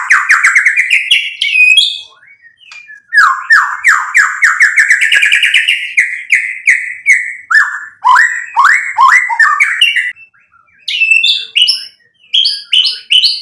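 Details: White-rumped shama singing energetically, a lure meant to provoke other birds into song: rich, varied phrases of loud rising and falling whistles, rapid chattering bursts and slurred notes, broken by brief pauses.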